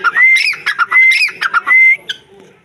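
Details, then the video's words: Black francolin calling: loud harsh, grating bursts mixed with three rising whistled slurs in quick succession, all within under three seconds, then fading to quiet. "teetar voice, teetar bird, teetar awaz"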